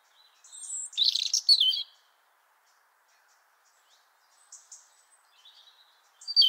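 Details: European robin singing at Liepāja, Latvia, in January 2023: a short burst of high, thin warbled and trilled notes, then near silence with faint scattered phrases, and a fresh high phrase starting at the end.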